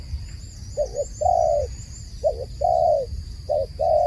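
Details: Dove calling in a regular pattern: a quick double coo then a long level coo, three phrases in four seconds, with faint high bird twitters and a constant high hum.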